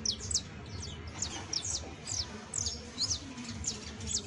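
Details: Saffron finch singing, played as a model for a young finch to learn from: scattered shrill chirps and clipped downslurs, some notes doubled, spaced irregularly, with a soft background hum.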